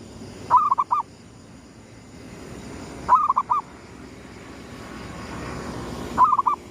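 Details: Zebra dove, gedong mengo style, cooing to greet the rising sun in a lure recording: three phrases of four soft rolling notes, the opening note stretched, roughly every three seconds over faint hum.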